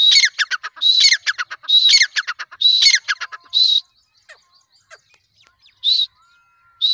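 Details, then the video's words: Loud grey francolin (teetar) call series: four ringing phrases, each a high clear note then a burst of harsh clipped notes, followed by a pause, scattered faint clicks and two single whistled notes. "teetar ki boli|teetar voice|tetar ki awaz|francolin voice|teetar ki awaz sound|female teetar ki awaz"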